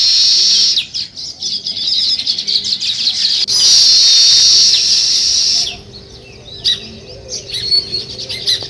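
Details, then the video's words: Morning sparrow chatter by nesting weaver birds: loud, buzzy group chirping for about six seconds, then thinner, scattered squeaks with quieter gaps. "Sparrow Morning Chirping Sounds"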